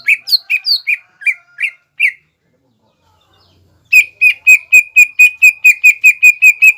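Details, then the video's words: Greater green leafbird, singing mbeset to provoke rivals: first a set of short, upward-flicked whistles, then silence, then a fast run of even, flat whistled notes repeated about five times a second. "CUCAK IJO GACOR MBESET MEMANCING EMOSI LAWAN AGAR JAMTROK DAN JAMBUL"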